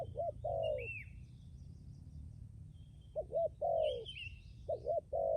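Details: Spotted dove decoy bird produces double-humped low coos followed by a longer coo, pausing about two seconds between bursts; high arched whistles and chirps of other birds nearby.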